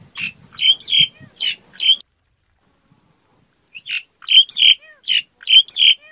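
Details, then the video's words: Black-collared starling uttering raspy, screechy notes in short groups, with a few low rumbling sounds at the start, then nearly two seconds of silence before another burst of grating, whistle-edged squawks. "Tiếng Cà Cưỡng hót"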